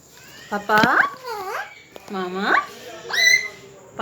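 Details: Talking parrot indoors, mimicking speech with its owner: three rising, nasal word-like calls about a second apart, the last ending in a higher squeaky note, with a person's voice close by.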